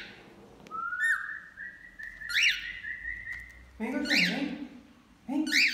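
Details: While bathing, a male and female cockatiel sing: a rising then level drawn-out whistle with chirps on top, overlapped at the end by a person talking.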